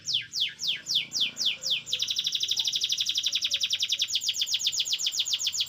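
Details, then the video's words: Canary song used as a tutor recording for training oriental magpie-robins: about seven rapid descending whistled sweeps, each under a third of a second, then a fast, even, buzzy trill of repeated high notes lasting to the end. "KICVA KENARI BUAT MASTERAN MURAI BATU"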